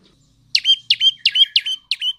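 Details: Five evenly spaced two-part notes from a prenjak lumut tailorbird, each a sharp high chirp followed by a short level whistle; sung as a lure to make males and females call.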